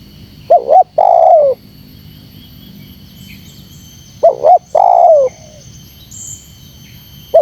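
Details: Luring call of a spotted dove meant to rouse wild doves: a quick double hoot leads into a drawn-out coo sloping down at the close. Two phrases, then the start of a third, with quiet background hum.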